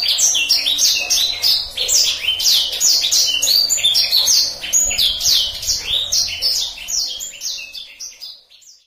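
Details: Rolling song of a black-throated canary (blacksang), used as a tutor song for canaries: rapid, unbroken stream of high whistled and buzzy trilled notes, about three per second, fading out at the end.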